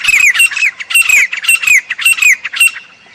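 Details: Grey francolin call: shrill, squeaky phrases with a short downslurred whistle, repeated roughly every half second, strong and steady, fading at the end.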